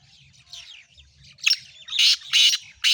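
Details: Faint chirps and soft rustling lead into a black francolin's loud series of harsh, rasping notes, four bursts in about a second and a half.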